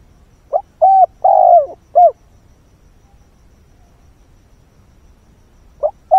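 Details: At dawn a decoy spotted dove gives its luring call to wild birds: one full four-part phrase of short and drawn-out low coos, a long silent pause, then the next phrase beginning.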